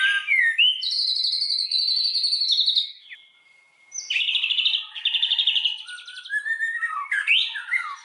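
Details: White-rumped shama lure song to rouse other shamas into full song: loud buzzy sustained phrases, a short silence, then varied warbling whistles and scratchy notes.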